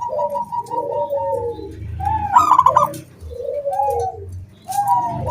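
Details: ['Zebra dove song used to entice other doves to sing. Overlapping low coos and a steadier higher cooing line build to one bright, pulsed burst midway, with background rumble.']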